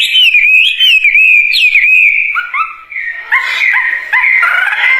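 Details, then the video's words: Wambie bird singing looping whistled phrases with sharp upward flicks, then shifting to a series of rough, clipped notes repeated about three times a second. "Kicauan Burung Wambie Gacor Dorr"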